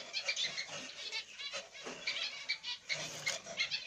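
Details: Zebra finch chicks in the nest with their parents, a grey light-backed black-cheeked male and a pied female: pulsing rasping calls in quick bursts, harsh and noisy, repeated several times a second.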